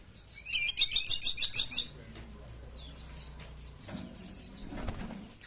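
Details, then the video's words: Sunda pygmy woodpecker giving a rapid, harsh trill of about eight high, evenly spaced notes over just over a second, followed by softer scattered high chirps and a faint low rumble. "Suara Asli Pelatuk Caladi Tikotok"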